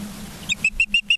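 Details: Osprey at its Charlo, Montana nest on a September 2023 evening gives a few clipped high whistles in quick succession, each short and bright, over a faint low hum.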